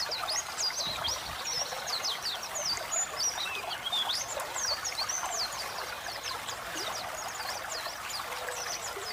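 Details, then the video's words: White-eye chattering over a trickling stream: continuous high, squeaky twitters and quick downslurred notes, uneven in rhythm, with water noise throughout. "masteran burung pleci gacor ngeriwik ngeplong"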